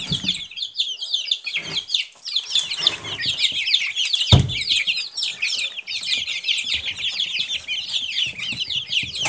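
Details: High, thin cheeps from many Silkie chicks form a constant overlapping chatter, with one sharp knock midway.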